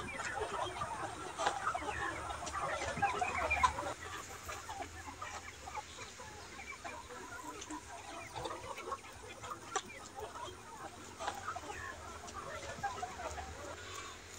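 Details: Ga Noi, bantam and crossbred chickens kept free-range in a broad yard by day, picking at food, insects and greens; soft distant clucking and murmuring from the flock, busier early on, then scattered calls over a low hum.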